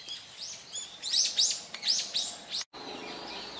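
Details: In Hourai Park, Ōta City, Tokyo, a Brown-eared Bulbul gives a short burst of loud, piercing high notes that sweep upward and drop back, five or six in quick succession, then a brief cut and quieter park ambience.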